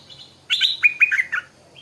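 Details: Morning song of a Stripe-throated bulbul: a short bubbly phrase of about six liquid notes, starting high then dropping into warbled, slightly descending whistles, in a quiet setting.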